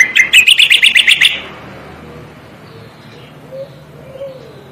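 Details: Striated grassbird song meant as tutor material for cage songbirds: a brief run of rapid, bright warbled notes lasting just over a second, followed by quiet background hum with a few faint distant sounds.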